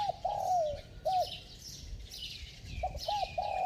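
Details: Spotted dove coos fast in a clear bell-like tone. A long descending slurred coo and a short hooked note are followed by the start of another phrase, with other birds chirping faintly behind.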